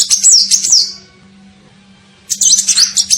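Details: High, thin twittering from an olive-backed sunbird (kolibri ninja) used as a lure call to attract birds: one quick chattering phrase fading away, a second of quiet, then another rapid burst.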